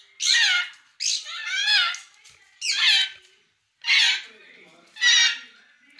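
A grey parrot gives five loud, harsh, squawking calls with wavering harmonics, each about half a second long, roughly one per second, indoors.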